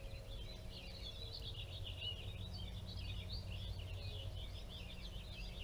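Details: On a sunny spring day at feeders, 14 April 2021, several American goldfinches twitter continuously in quick, high, overlapping chattering notes over a steady low rumbling hum.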